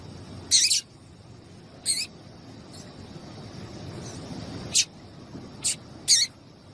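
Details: Female double-collared seedeater calling to encourage male song: sharp high chirps, some doubled, spaced unevenly about once every second or two over low hiss.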